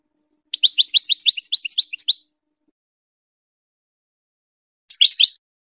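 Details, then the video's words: Goldfinch tutor song for hybrid chicks: a string of a dozen quick, rising chirps over about a second and a half, a pause, then a brief cluster of tweets. "The best singing to teach hybrid chicks and goldfinch"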